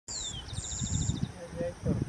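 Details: Yellow-browed sparrow (Ammodramus aurifrons) in Quijos, Ecuador, grassy habitat: a thin, high falling whistle, then a quick run of about ten very high insect-like notes, over low rumbling background noise.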